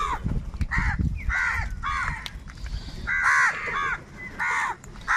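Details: A large flock of crows fighting for food calls with coarse, rasping caws in an uneven series, about six clear calls, over steady low-frequency rumble.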